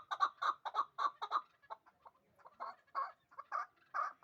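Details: Two-year-old hybrid partridge in Dushanbe, bred for fighting and hunting, gives a rapid run of clipped chuck notes that breaks off, then resumes as louder, spaced chucks.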